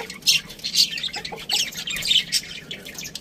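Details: Budgerigar chirps: quick high squeaks and scratchy warbled notes tumbling over one another in short bursts, with brief quieter gaps.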